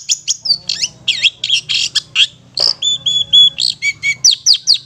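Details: Fast ngetet song of a long-tailed shrike used to prompt stressed or mute birds to sing; rapid sequence of crisp chips, buzzy bursts and a few level whistled notes, steady quick pulse.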